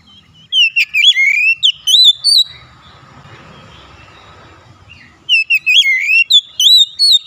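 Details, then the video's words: Oriental magpie-robin luring song for making hard-to-start birds sing: two strong runs of fast, swooping whistled notes on either side of a roughly three-second gap filled with soft rustling noise. "tera memancing Kacer bahan susah bunyi langsung gacor"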